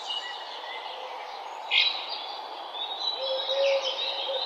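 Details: Birds singing on a morning in a park: scattered high chirps and short twittering phrases, one louder burst near the middle, and a faint low steady whistle toward the end over soft ambient hiss.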